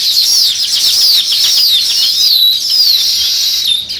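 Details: Sparrow chirping from many birds at once: a steady wash of bright, high twittering with repeated downward-sliding whistled notes standing out above the crowd.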